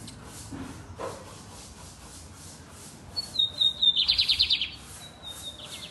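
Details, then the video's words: Lined seedeater singing loud and deep: a long high whistled note sliding downward, then a rapid buzzy trill of about eight pulses, followed by another thin whistle, over a quiet low background hum. "Bigodinho Sintonia cantando alto e grosso!"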